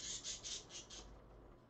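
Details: Two pet parakeets in the early morning, 5:20 AM on 30 January 2015, one giving a quick series of five harsh, raspy high squawks about a fifth of a second apart, then fading.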